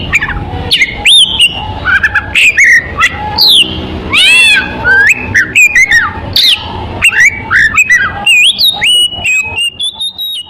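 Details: Oriental magpie-robin song used as a bird lure: rich medley of looping whistles, upward and downward slurs, and clicking chirps, with a brief rushing buzzy passage midway.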